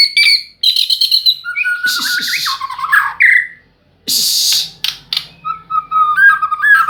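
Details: White-rumped shama song mixing clear whistles, sliding and stepped notes with loud harsh buzzy bursts and rattling chatter; phrases pause briefly, one long silence midway, then a rising whistled run closes.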